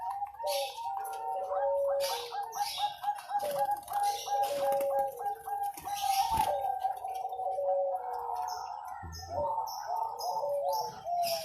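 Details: Zebra dove competition bird from Sidoarjo, East Java, singing a series of soft, mellow cooing notes, some held and some stepping down, repeated steadily, with faint clicks and light background noise.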